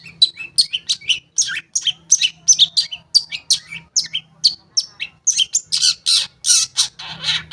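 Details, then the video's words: Long-tailed shrike singing to stir silent shrikes into song: rapid chattering of varied sharp notes, nearly three per second, growing harsher and denser toward the end, over a faint low hum. "Pancingan Cendet Ampuh, Pancingan Cendet Bahan Atau Macet Bunyi, Cendet Macet Akan Ikut Bunyi"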